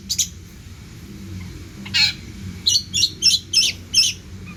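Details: Active long-tailed shrike song full of borrowed phrases: a few scratchy notes, then a run of five or six harsh rasping bursts about three per second.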